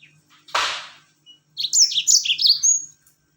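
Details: Rol tembak song of a yellow-fronted canary, played to set other birds singing: one harsh broad burst, then a quick run of bright, high, slurred whistles in a tight rolling series lasting about a second and a half.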